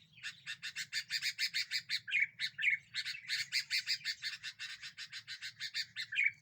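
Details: Sooty-headed bulbul singing vigorously to lure and provoke other birds: an unbroken stream of harsh chattering pulses, about five per second, with brief rising whistled notes slipped in, over a faint low murmur.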